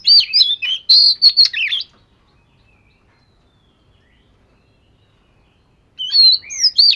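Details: Scaly Oriental magpie-robin ('vẩy cá') during voice training: an energetic two-second jumble of chirps, trills and whistled slurs, then four seconds of silence before another lively burst of similar notes.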